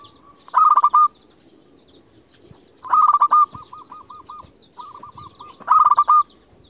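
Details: Zebra dove, local bird kept as a lure to provoke rivals, repeating a stuttering coo roughly every two and a half seconds; the middle phrase trails into a run of softer evenly spaced notes.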